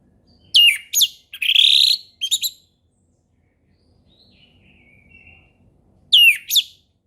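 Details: Orange-headed thrush singing a relaxed ngeplong-style song, offered as a lure for young birds learning it: a burst of loud, varied whistled and buzzy phrases, a quiet pause with a faint thin whistle, then another sharp whistled phrase.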